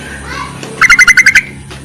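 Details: Yellow-vented bulbul calling for males, intended as a lure: a crisp run of about seven rapid, evenly paced chirps lasting under a second, with a soft murmur of background sound.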